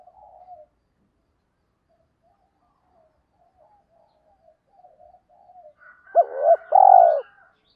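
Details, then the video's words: Spotted dove decoy-rousing song: faint scattered murmurs fill most of the clip, then near the end come two loud notes, a sharp hoot and a longer, rich coo. "tiếng chim cu gáy kích bổi mới nhất"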